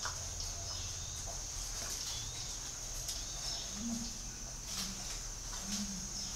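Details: Spotted dove calling: soft, low coos appear in the second half, with short pauses between them. A steady high electronic whine runs throughout, and faint background noise is also present.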